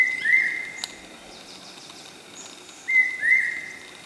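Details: Common hawk-cuckoo, the Brainfever bird, calling at Okhrey in West Sikkim: loud whistled phrases of two rising notes, repeated after a pause of about two and a half seconds, over quiet background with faint other birds.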